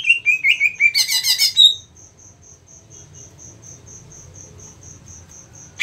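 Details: Greater green leafbird in agitated, aggressive calling, used to rouse other leafbirds: a burst of rapid, high descending chirps and a harsh rattle, then a steady high ticking note repeated about three times a second.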